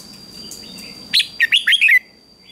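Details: Morning contest song of a red-whiskered bulbul, a single lively phrase of five or six loud whistled, warbling notes rising and falling quickly, after soft background chirps.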